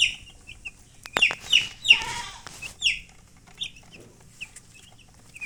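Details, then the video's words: Baby chicks chirping: short high peeping notes, many descending, scattered irregularly with a louder burst of overlapping peeps near the middle, plus a lower harsher hen-like call around two seconds. "Baby "Chicks Chirping" Sound"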